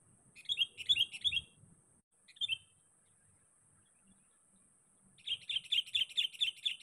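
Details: Sooty-headed bulbul calling for a rival, a lure recording: a burst of quick chirped notes, a lone short phrase, a pause, then a rapid even series of about eight repeated bright notes, over a constant high whine and soft low knocks.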